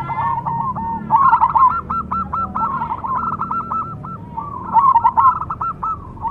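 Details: Zebra dove, cemani variety, giving soft rhythmic cooing: a fast chain of short, clipped notes at a constant pitch, louder bursts near the start and end, over faint background hum.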